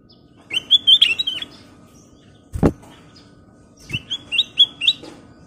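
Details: Lively Sooty-headed bulbul singing two phrases of stepped, bright whistled notes, separated by a single loud thump, over faint background hum.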